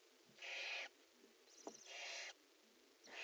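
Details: Nest-box barn owls around prey handover and mating: rough, breathy hisses of varying length, one long drawn-out, with a faint click and shuffle between calls.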